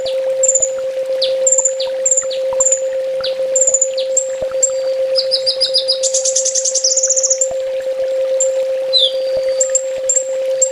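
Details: Sunbird master song for training caged birds: a series of thin high whistles and falling chips, a dense rattling trill in the middle, then more chips, with a constant electrical drone beneath.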